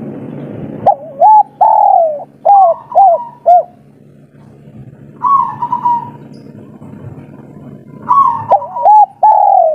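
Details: Spotted dove, local three-note caller, calling for a female: phrases of short, mellow hooting coos followed by longer, gently falling tones, repeated with a pause between phrases and a low hum beneath.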